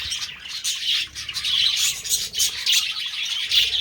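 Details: Mating budgerigars give quick bright chirps and squawky notes in uneven bursts above a background of steady warbling.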